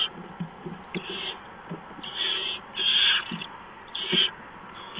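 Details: Barn owl at the nest before dawn, 6 March 2015, during a mouse delivery; scattered short breathy hisses, strongest in three bursts past midway, with soft knocks and shuffling sounds between them.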